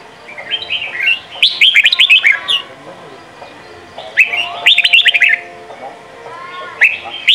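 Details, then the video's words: Red-whiskered bulbul song played to train young birds, Sông kon style: three bursts of quick chirpy whistled notes about every two and a half seconds, with softer sliding notes between and faint clicks. "Chào mào hót: 35 phút Luyện giọng Sông kon mỗi ngày! เสียงฝึกลูกนก | นกปรอดหัวโขน"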